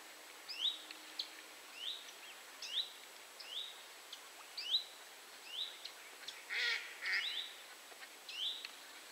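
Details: Great crested grebe family on a reservoir at Rawa Mazowiecka, Poland, 31 July 2017: thin, high piping notes, each rising then dipping, repeated about every half second, with a brief harsher burst near the end over faint background hiss.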